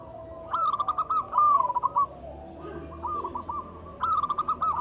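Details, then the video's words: Loud local zebra dove song meant to coax mute or reluctant doves into singing; stuttering cooing phrases in three bursts, rolling and slightly falling, with a constant high-pitched insect drone underneath. "Suara PIKAT dan PANCINGAN perkutut lokal gacor untuk atasi perkutut bisu dan susah bunyi."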